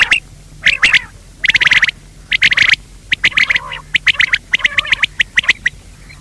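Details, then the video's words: Male and female quail calling in loud, rasping bursts interleaved with short whistled notes, roughly seventy bursts a minute at an irregular pace. "Batair ki awaz , Male quail call , Bater ki awaaz,Female quail sound,بٹيرکی آواز"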